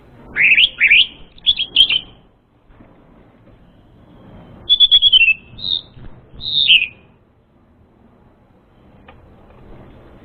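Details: Song of the orange-headed thrush, used to lure an untrained bird: two groups of high rising and falling whistled notes, then a quick descending trill and two isolated slurred notes over a soft background hiss.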